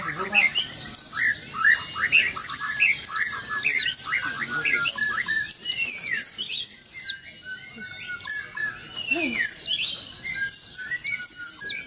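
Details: Oriental white-eye singing a rolling song with an open beak, a style meant to provoke rival birds: rapid series of high, thin, steeply falling whistles repeated throughout, over lower chirps from other birds.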